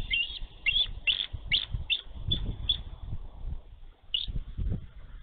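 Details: Nesting female bald eagle in Minnesota, snowy March 2023, guarding her egg with wings spread against an intruding young eagle; rapid high squeaky chirps in a quick series, then a single note, over low rumbling wind.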